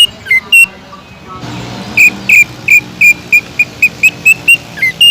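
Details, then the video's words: Greater green leafbird (cucak ijo) song for coaxing other leafbirds to sing: a few opening notes, then a steady volley of crisp, emphatic whistles about two per second. "BEARAPI API...!!!TEMBAKAN PEDAS CUCAK IJO GACOR BUAT MANCING CUCAK IJO LAIN AGAR JAMTROK"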